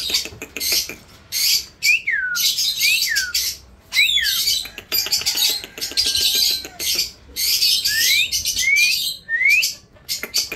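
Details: Indian ringneck parrot alternating harsh, grating screeches with short whistles that slide up or down, repeated through the recording, with some clicking sounds between calls.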